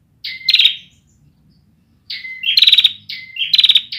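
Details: Young Bar-winged prinia with a song not yet fully developed: two high phrases, each of sharp rising chirps that run into a loud buzzy rattle, separated by a quiet gap of about a second.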